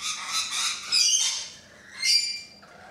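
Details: Rainbow lorikeets at a balcony, shrill, raspy screeching that runs almost continuously, swelling and fading in two loud waves.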